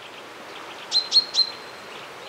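A common chaffinch gives three sharp, metallic 'pink' notes in quick succession over about half a second, against a faint hiss of outdoor background.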